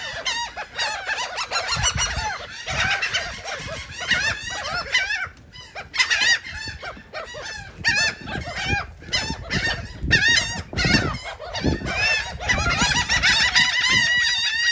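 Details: Many gulls eating cake at Atlantic City, New Jersey, keeping up a long, noisy run of harsh, wavering squeals and yelps, loudest toward the end.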